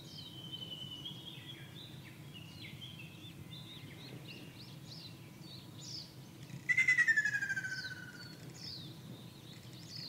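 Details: Ruddy kingfisher song recorded on 2 June 2024 in Shizuoka Prefecture, Japan, where several birds occupied a wide area. Other small birds chirp for several seconds before one loud, rapidly pulsed trill that falls gradually in pitch and fades.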